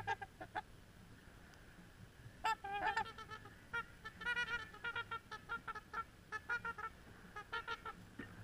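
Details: A few Trumpeter swans mulling about from a beach give loud, nasal, horn-like trumpeting honks, single and in quick bursts from several birds, over a faint low hum.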